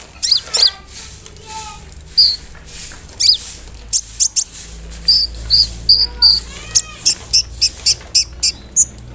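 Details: Vocal brown-throated sunbird, big in body, whose song is a lure to provoke other sunbirds. Mixed high chirps, short whistled slurs and clipped notes repeat in quick phrases over low background rumble.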